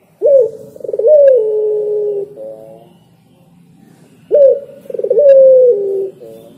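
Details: Spotted dove singing: two full phrases, each a stuttering run of soft coos leading into a drawn-out, falling hoot, then short, buzzy closing notes.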